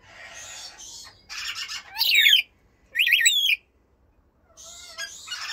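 Blue-streaked lory giving harsh, high screeches and grating squawks in short bursts, with two loud wavering shrieks near the middle and rasping chatter around them.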